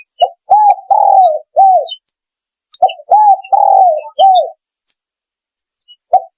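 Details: Lure recording of a spotted dove: two phrases of short clipped coos followed by a longer drawn-out coo and a closing arched note, with quiet gaps and faint chirps from other birds.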